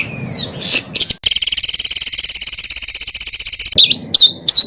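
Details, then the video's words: Songbird with a varied song, played as a training tutor for contest birds: opens with falling whistles and a rough burst, then a long rapid insect-like rattling trill of about three seconds, ending with loud looping whistled notes. "BURUNG FULL ISIAN TEMBAKAN"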